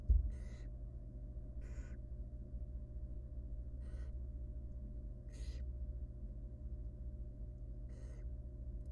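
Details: Nestling barn owl, wild, begging from its mother during a feed of a large rodent in a nest box: five raspy, hissing bursts spaced roughly one to two seconds apart, a faint bump at the start, steady hum underneath.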